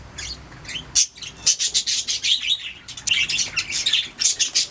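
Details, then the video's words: Budgies chirping nonstop: a busy stream of rapid, squeaky, chattering notes, warbled and scratchy, bunched into quick pulses throughout. "Budgies singing making sounds chirping"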